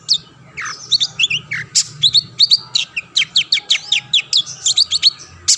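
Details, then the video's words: Long-tailed shrike (cendet) singing energetically to goad other shrikes into song, a fast chattering stream of sharp downslurred and upswept notes delivered almost continuously. "burung cendet gacor pendongkrak emosi lawan‼️ pancingan / masteran handal"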